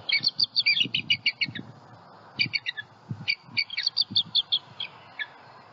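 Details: Vocal bald eagle pair guarding eaglets at a Southwest Florida nest following a night owl strike. Thin, high chirping notes pour out in fast bursts, then sparse calls, with faint low knocking sounds underneath.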